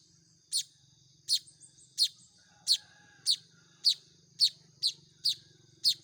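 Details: Young Baya weavers begging while hand-fed: piercing high chirps repeated about every half second, slightly irregular, over a soft low buzzing background.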